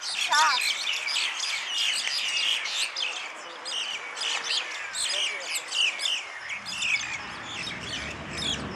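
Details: A flock of common mynas in Tel Aviv chatters nonstop: dense, overlapping squawks, gurgles and sharp whistles with a low rumble of traffic near the end.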